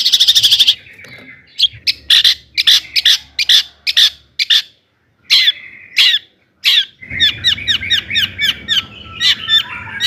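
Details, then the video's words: Long-tailed shrike song meant to provoke rival shrikes; a dry rattle opens, followed by well-spaced sharp clipped notes with short silences, then a busier passage of quick chirps with faint background hum. "kicau cendet gacor toet toet AMPUH buat PANCINGAN CENDET AGAR EMOSI"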